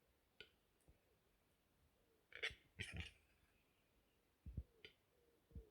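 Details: Western Capercaillie male, angry, Läänemaa, Estonia, April 2021: deep gurgling croaks and belch-like rasps, a louder double burst midway, with soft low grunts after, over a quiet background.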